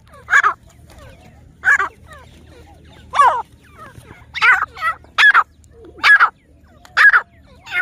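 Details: Grey francolin, locally teetar, in jungle, filmed for breeding, gives a loud series of about nine harsh, rasping call bursts at roughly one per second, some doubled, over a faint low hum.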